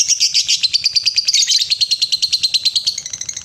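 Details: A lovebird's long ngekek trill, played to get other lovebirds trilling: quick rasping pulses, slightly falling in pitch, repeat without pause for over three seconds.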